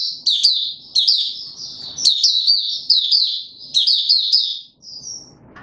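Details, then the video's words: Male white-eye on 31 December 2021, trained toward peak form, gives quick thin twittering phrases, each opening with a sharp rising flick, repeated roughly every second, ending with a short high whistle. "Mata Puteh - Raja V2 Pushing him on form buka sing"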